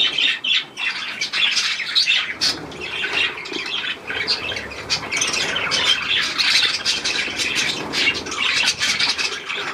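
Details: Budgerigars in a shower bath, 18 May 2024: rough, noisy squawking chatter, mostly harsh, with few clear whistles, partly buried in a strong, steady hiss.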